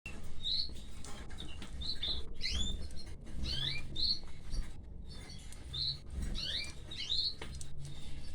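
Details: Canary chicks being fed by their mother, giving short high chirps in quick bursts about every second, each a bright upward or downward sweep, over a steady low hum and faint rustling.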